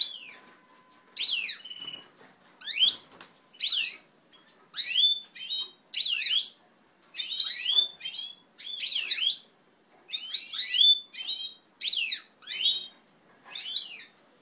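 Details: European goldfinches of native Italian ancestral stock during pair formation, recorded 20 March 2012: bright twittering song in short bursts of rapid, sliding, tinkling notes, repeated about every second, with a steady low hum at the start.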